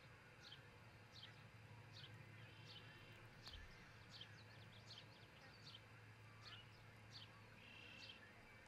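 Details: Osprey pair at their new nest near Charlo, Montana, recorded by a nest camera before dawn on 22 June 2018: a steady series of thin, high, downslurred chirps, about one every second, over low constant hum.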